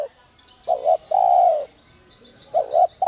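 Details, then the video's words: A spotted dove, whistle-voice singer used to stimulate wild doves, gives a short doubled coo and a long, level-then-falling hoot, then starts the next phrase, with faint high chirps behind. "Chim cu gáy GIỌNG CÒI te te kích bổi cực sung, giọng nhạy bổi kích cu gáy bổi nhanh gáy"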